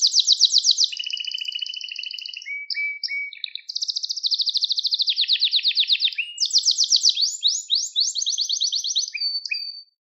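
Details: Canary song intended to teach young birds: a long sequence of varied trills, with high buzzy tours, short clipped notes, lower rolling passages and fast descending sweeps, sung loud and continuous for ten seconds.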